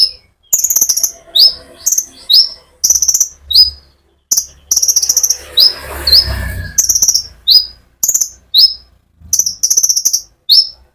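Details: Lively konin sunbird song used as a lure for other sunbirds: steady run of high buzzy rattles and sharp downslurred chirps with almost no pause, faint low rumbling noise in the background.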